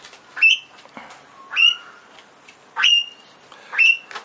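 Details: A young little (short-billed) corella, visiting for food on the morning of 18 February 2010 after over 500 mm of rain, gives four harsh, rising screeches, each about a third of a second long and spaced a second or so apart.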